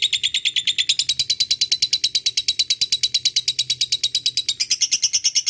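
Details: Lovebird in a long ngekek chatter, used as a lure to call a rival: an unbroken, rapid, shrill rattling trill of high notes that rises slightly in pitch near the end. Faint low hum underneath.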